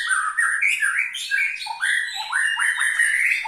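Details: White-rumped shama singing a full 'isian' song: continuous, varied warbled phrases that slide up and down, rich and rapid, with no pauses.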